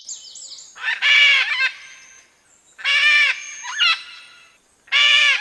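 A macaw gives three loud, harsh, rasping squawks about two seconds apart, each under a second long. A faint thin whistle comes before the first squawk.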